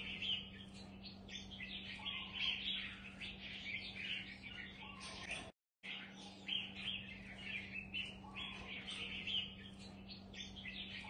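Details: Mutant platinum-patched red-whiskered bulbul singing busy, continuous runs of bright twittering and warbled notes, broken by one short silence, with a steady low hum beneath.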